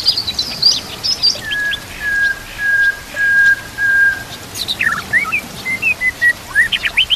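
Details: Murai batu (white-rumped shama) master recording used to train singing birds, with trickling water: high chips, then a long steady whistled tone held for about three seconds, followed by quick varied slurred whistles.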